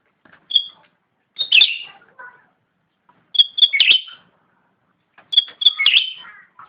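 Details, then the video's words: A cucak ranting (a bulbul) singing vigorously: three bright phrases about every two seconds, high clear whistled notes running into quick chattering, tumbling warbles. Nothing else is heard. "Suara asli cucak rante / ranting gacor"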